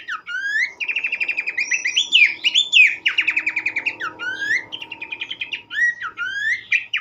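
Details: Abbott's babbler singing continuously, used to stimulate other babblers: fast rattling trills alternating with upslurred and warbled whistles, with a faint low hum underneath.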